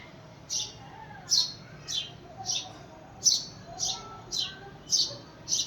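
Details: House sparrow chirping insistently to call another sparrow: nine high, sharp notes, coming faster toward the end, over a quiet background.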